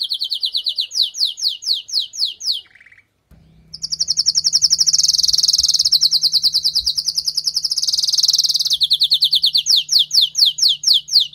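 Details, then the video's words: Canary, a female calling to stimulate a male after moulting: fast descending whistled notes, a brief pause, then a long loud buzzy roll and more rapid whistles over a steady low hum. "نداء انثى الكناري لتجهيز وتحفيز ذكر الكناري بعد غيار الريش"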